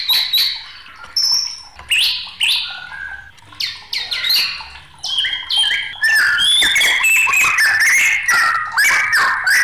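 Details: Agitated white-rumped shama in full song, a varied rush of loud whistles, rasping squawks and quick chattered notes climbing high, delivered in dense overlapping phrases with barely a pause.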